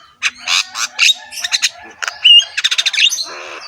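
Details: Rough-voiced Javan myna in head-bobbing display, singing a rich varied song: coarse squawks, a clear whistled note, then a fast rattling series of clipped notes ending in a buzzy trill.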